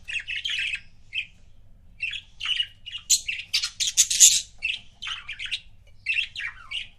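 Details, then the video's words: Pet budgerigar couple chirping: bright, scratchy chirps in quick bursts, with a denser run of raspy, squawking chatter in the middle and short chirp phrases before and after, in a quiet setting. "CUTE BUDGIE COUPLES"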